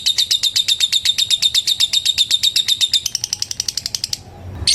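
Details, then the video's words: Lovebird calling a rival with a long trill: rapid, piercing high ticks repeated steadily, slightly changing tone after three seconds, then fading out before a short final squeak. "Suara Burung LOVEBIRD Memanggil LAWAN Bikin LB Lain ikut NGETIK SAMBUNG NGEKEK. LABET NGETIK PANJANG"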